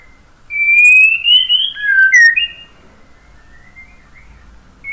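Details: Pure, rising and falling whistles from a white-rumped shama, a long upslurred note followed by a lower dip and a quick bright upturn, then near silence.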